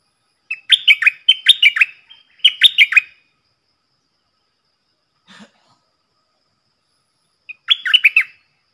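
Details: A stripe-throated bulbul decoy bird, its double song used to coach young birds and entice wild birds. Three fast bubbly phrases close together, a faint soft sound after a gap of silence, then one more warbled phrase.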